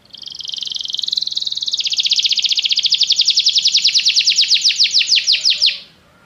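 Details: Canary song used for training a canary to sing: a sustained high roll that starts smooth and breaks into a long, rapid, evenly pulsed trill lasting about five seconds before stopping abruptly.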